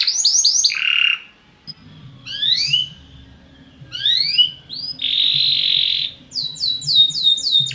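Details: Belgian canary, singing to liven up other birds: quick repeated notes and a low buzz, spaced rising slurs, a steady whistled tone, then a run of repeated arched notes.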